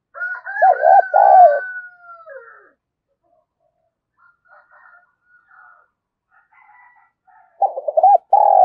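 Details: Decoy spotted dove calling to attract new wild doves: hollow arched coos overlaid by a long higher, steady tone at the start, quiet scattered notes, then another burst of rapid coos.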